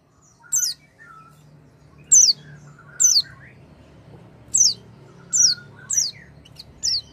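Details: Oriental white-eye used to get a non-singing white-eye going: single high, falling chirps spaced roughly a second apart, each followed by a softer, lower short whistle.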